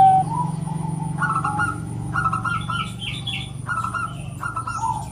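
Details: A female zebra dove (Geopelia striata) calls to prompt males to sing. It gives short, soft tonal phrases about once a second, with higher chirpy notes between them, over a steady low hum.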